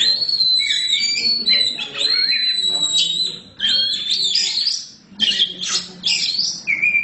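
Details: Black magpie-robin singing boldly in bursts of clear, warbled whistles and quick twisting phrases, broken by brief pauses, with squeaky high notes in the final seconds.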